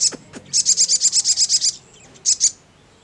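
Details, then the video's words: Sogon in ngleper mode: two short down-sweeping notes, then a quick run of about ten high chirps and a closing pair. "SOGON MANAPUN CEPAT NYAUT NGLEPER"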